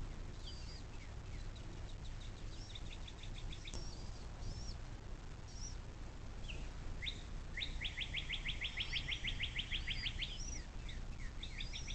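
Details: At a Little Miami River bald eagle nest near South Lebanon, Ohio, USA, captured by a nest cam 06.04.2024 at 17:23: soft high twitters, then a long burst of rapid, shrill chittering notes, followed by a few rising chirps, all over low rumble.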